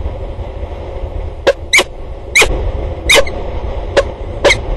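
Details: At a water tower in Axel on 2 October 2019, peregrine falcons exchange calls: six brief, harsh notes spaced about half a second apart after a quiet start, over a low background rumble.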